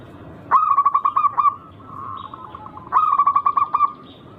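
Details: Local zebra dove singing actively as a lure to provoke rivals. Two bursts of roughly eight quick, hollow coos are linked by a softer, drawn-out cooing phrase.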